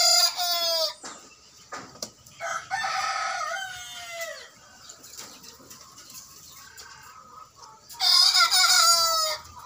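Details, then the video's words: Young roosters about 60 days old crowing for the first time on a small-scale native chicken farm in Parapat; short, rough harmonic crows open and close the stretch, with softer calls and farm noise between. "Kokok Perdana 3 Jantan Muda Usia 60 Hari"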